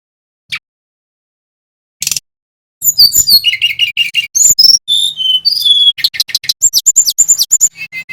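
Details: Bali brown-chested jungle flycatcher, male, singing continuously as a lure to make other birds sing. Two isolated high chips, then a long rapid stream of varied whistles, buzzy notes and repeated high trilled phrases, over a faint low hum.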